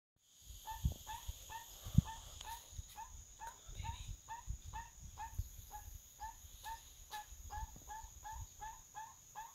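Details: Crested guan at a forest farm dwelling in Panama, giving a long series of short, yelping notes with harmonics, repeated about three times per second. A steady high insect whine and low rumbling thumps sit underneath.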